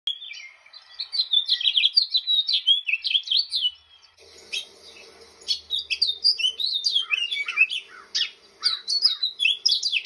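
House finch giving a long, jumbled warble of quick high chirps and slurred notes, pausing briefly before resuming; a faint low hum underlies the second half.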